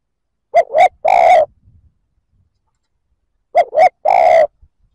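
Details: Spotted dove cooing to provoke other males: two quick low notes followed by a longer drawn-out coo, the three-part phrase given twice about three seconds apart in otherwise quiet surroundings.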